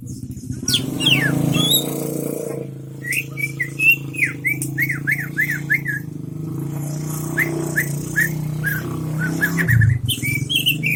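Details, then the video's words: 'Isian MB' song of a greater green leafbird, Aceh Tengah: after a low rumbling start, rapid bursts of short downslurred whistles in quick series, a pause, then more chirpy whistles, with continuous low background hum. "cucak ijo isian MB"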